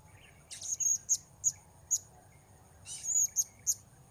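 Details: Blue-crowned hanging parrot calling while wild birds are lured: a series of shrill, high, sharp chirps and short squeaky notes in two bursts, about eight notes, some fast and clipped, over a low steady hum.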